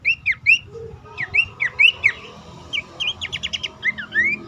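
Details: Pelanduk semak calling, used as a lure to stir caged birds into song: clear, looping whistled notes that rise and fall, given in quick pairs and short series, with a brief run of rapid, even notes in the middle.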